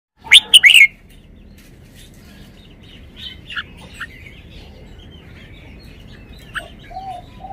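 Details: Caged red-whiskered bulbul showing off its song phrasing: one loud, quick whistled phrase of rising and falling notes near the start, followed by faint, scattered softer chirps over quiet background.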